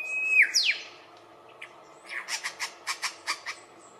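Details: Mimicking lyrebird, Australia, part of its courtship dance: a level high whistle dropping into a downward sweep, then a quick series of about eight sharp repeated chip notes.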